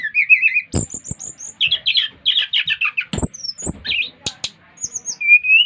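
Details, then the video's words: Brown-chested jungle flycatcher from Bali singing to stimulate another of its kind to sing: a lively run of varied high whistles, slurred chirps and trills, with sharp clicks interspersed and a level whistle near the end. "Kicauan SRDC Bali Gacor memancing Srdc lain ikut gacor"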